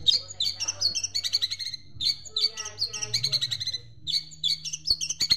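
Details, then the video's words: Long-tailed Shrike training song with sparrow imitations: bright sparrow-like chirps repeated in fast clusters, each burst of high twittering notes followed by short pauses, with a soft background hum. "Masteran Cendet Isian Greja Mewah"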